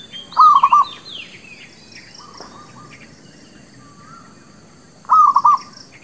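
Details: Village zebra dove lure for trapping and for new birds: two soft, rapid four-note cooing phrases nearly five seconds apart, with high, thin chirps from other small birds scattered in between.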